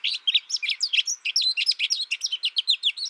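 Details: Continuous bright twittering by an American goldfinch, a steady stream of high chirps and canary-like slurred notes at a brisk pace, with no other sounds.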